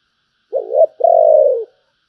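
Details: Single spotted dove phrase in the thổ voice, bầu style: a brief stuttered opening note, a short gap, then a sustained, mellow, low coo that slowly descends and fades. Clean recording, no other sounds.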